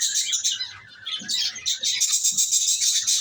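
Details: Lovebirds twittering in quick, high-pitched chirps repeated several times a second, growing denser and louder toward the end.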